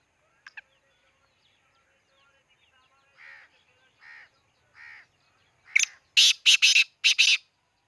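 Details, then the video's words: Black francolin calling at Khushab: soft, fine-ribbed notes repeated about every 0.8 seconds, then a loud burst of four harsh, grating, broadband notes in quick succession near the end, with a brief double chirp at the start. "kala teeter ki awaz"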